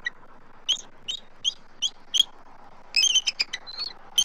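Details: Adult eagles vocalize at their Southwest Florida nest tree on March 12, 2024, with an immature eagle circling nearby. Five spaced high piping notes, then a fast chattering cluster and one final pip.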